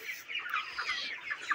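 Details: A 29-day-old broiler chicken flock in a farm shed, calling together in a thick wash of high chirps and brief clucks with no pauses, several sharper peeps cutting through near the end.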